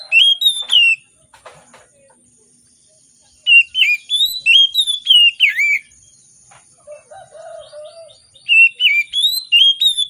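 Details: Morning song of an Oriental magpie-robin, played as a lure to make hesitant birds sing: bright whistled phrases with rising and falling slurs, given in bursts separated by pauses, with a few low soft notes between.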